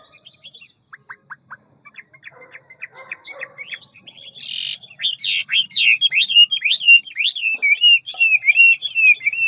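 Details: A big, handsome Hwamei in ngũ trường style delivers a fast, many-voiced forest-voice song. Sparse chips and short whistles build into a loud, continuous run of looping, warbling whistles near the end.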